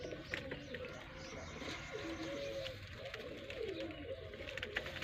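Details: Pigeons (kabutar) from a Sindhi village in Pakistan coo in low, drawn-out, wavering notes that overlap one another, over a constant busy background hiss.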